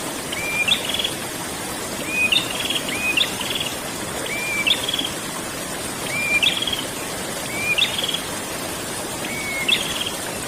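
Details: A prinia gives its rolling 'ngerol' song, short rising whistles linked to buzzy trills in phrases spaced a second or two apart, over a continuous hiss of running water.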